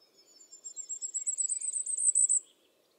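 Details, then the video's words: Wild common firecrest song from the Eifel near Dohr, Germany, taken on a Sony RX10 IV: a thin, very high string of repeated notes that grows louder, quickens and climbs slightly over about two and a half seconds. "Common firecrest singing. Sommergoldhähnchen singt."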